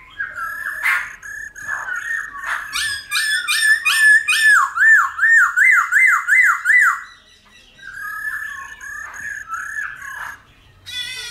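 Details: Laughingthrush song, Black-throated, varied 'old forest' style for training wild-caught birds: rough chattering notes, then a rapid run of about ten rising-falling whistled undulations, a pause, and more jerky whistles ending in a buzzy burst.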